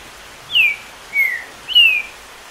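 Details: Green-winged saltator singing over a steady hiss of rain, spurred by the rain sound to more than ten songs a minute: three clear, slurred whistles, each sliding downward, spaced about half a second apart.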